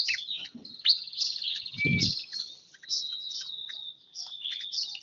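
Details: Bar-winged prinia, one year old, delivers a continuous high, thin song of rapid twittering chirps and short buzzes, broken by a brief low thump near the middle.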